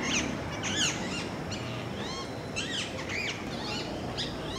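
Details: Parakeet calls: a string of high, arched and downswept squawking notes at uneven intervals, roughly one to two per second, some overlapping, over a constant outdoor background hiss.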